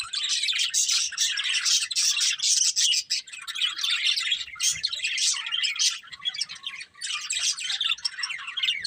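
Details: Colourful budgerigars kept as a breeding pair keep up an unbroken, busy warbling chatter of fast chirps and squeaks for the whole stretch.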